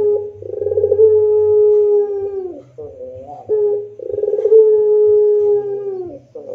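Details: Two near-identical rintihan coos from a puter pelung dove, each about two and a half seconds long: a throbbing start, a long steady low tone, then a falling tail. A low hum runs underneath.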